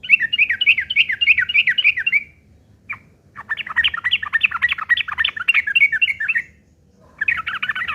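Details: ['Yellow-vented bulbul pouring out harsh fighting chatter meant to provoke replies: long rapid runs of scratchy notes, a single isolated note, another extended burst, and a final brief flurry.']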